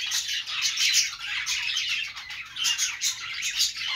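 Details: Australian parrot chatter from budgerigars: bright, high twitters and clicking chirps stream continuously in quick bursts, some notes sharper and whistled.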